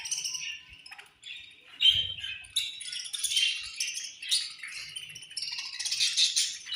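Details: Feeding-time chatter from a budgerigar colony, a steady high warbling and chirruping from many birds overlapping throughout, one faint low bump near the start.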